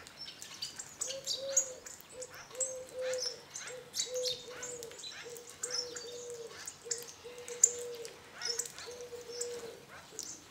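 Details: A flock of about 20 hawfinches at a garden bird feeder below a walnut tree in northern Hungary gives sharp, high ticking calls in quick scattered bursts, over low, even hooting notes about twice a second from another bird; hawfinch.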